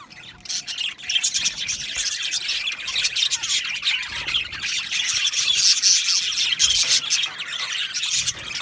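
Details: Many budgerigars in an aviary colony chirping and squawking together, rapid overlapping high notes building steadily in loudness after a quieter opening second.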